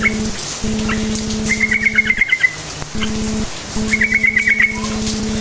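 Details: Short chattering song of a yellow-vented bulbul, meant to make silent bulbuls reply: two quick bursts of fast bright chirps, under a second each, over a constant low drone.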